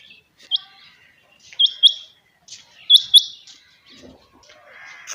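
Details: A captive quail calls early in the morning with sharp, high, upward-flicking chirps, usually in quick pairs, repeated about every second. Fainter twittering sounds in the background.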